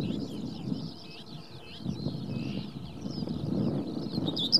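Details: Common whitethroat in the Beka nature reserve, Poland, giving a fast, scratchy, chattering warble that runs on for several seconds, over a steady low rumble of wind.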